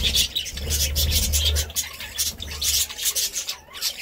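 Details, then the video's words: Budgerigars chirping and warbling in rapid, scratchy bursts, with a low rumble beneath during the first two seconds and a brief pause near the end. "Budgie Sounds"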